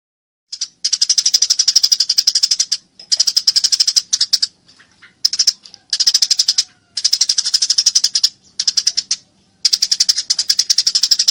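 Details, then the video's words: Fighting Eurasian tree sparrow chattering almost nonstop: long runs of fast, harsh high chirps, about four per second, broken by brief gaps, bright and clear with nothing else audible. "masteran burung gereja tarung gacor suara jernih"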